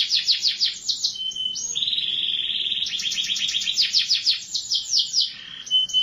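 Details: Canary singing quick chirp runs that shift into a longer steady whistled trill, then more rapid repeated notes and a final clear whistle.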